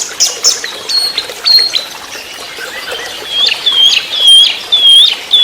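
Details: Trotol-style song of an orange-headed thrush, a lure and master recording for training songbirds: high thin notes, then a string of clear slurred whistles repeated about every half second, rising and falling.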